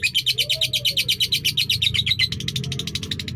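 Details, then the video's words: Lovebird singing a long-duration song, a rapid series of short chattering notes repeated almost three times a second, with a low hum underneath. "Love Bird SAKERA durasi panjang"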